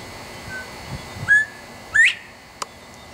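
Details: Male Northern Bobwhite whistling loudly from a nearby tree in Texas: a clean, level note followed by a bright, rising two-part whistle. A single sharp click comes shortly after.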